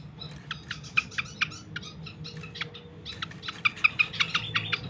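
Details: A Malaysian pied fantail sings, used as a tutor song for other fantails: a lively run of sharp, squeaky chirps, about three each second, some falling and some rising, over a low steady hum.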